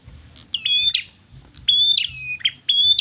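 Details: Red-headed perjak singing persistently: clear whistled notes, each a sharp onset then a long level or slightly falling tone, given about once a second in quick repeated phrases, with faint low rumble beneath.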